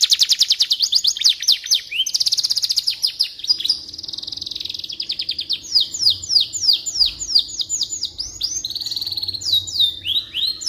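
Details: Extended canary song for training white-rumped shamas: an opening run of very fast trills, then rapid repeated downslurred notes and whistles, about three per second, over a faint steady low hum.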